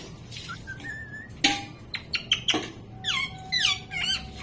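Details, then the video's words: Talking pet parrot producing whistled, gliding notes and sharp squeaks, ending in a run of speech-like, wavering sounds, over a faint steady background hum. "Parrot talking 🦜 #shorts #parrot_video मिट्ठू मिठ्ठू बोलने वाला तोता"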